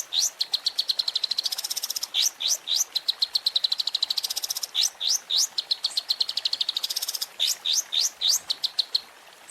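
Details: Long-tailed shrike, presented as a training recording with champion-style fill phrases for caged birds. Dense, rapid high chirps and sharp upward-slurred whistles repeat almost without pause, in quick bursts throughout.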